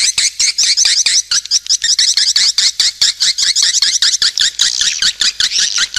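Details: Lure call for swiftlets: quick bursts of high, trilled chirps pulsing in a steady, choppy rhythm with short breaks between groups.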